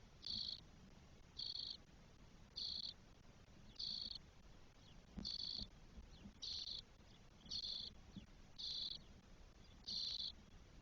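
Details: Spotless starling nestlings, four in one nest, 12 days old, Spain, 1 June 2022: loud rasping buzzes in a steady series, each burst about half a second, repeated roughly once per second.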